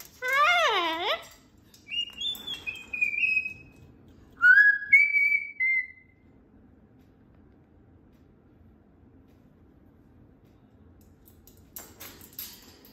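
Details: Loud pet cockatoo calling indoors: a wavering, warbled whistle first, then several high, flat whistled notes and short slurred phrases, followed by quiet room noise.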